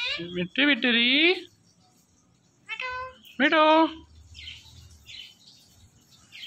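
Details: Indian ringneck parrot imitating words: a loud, buzzy, speech-like phrase, a pause, then two more harsh harmonic syllables followed by soft chirpy murmurs.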